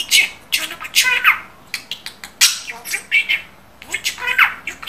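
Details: A pet budgerigar that mimics Turkish speech. Dense, chattering word-like phrases with squawky and chirpy notes follow one another almost without a break, recorded close-up in a quiet room.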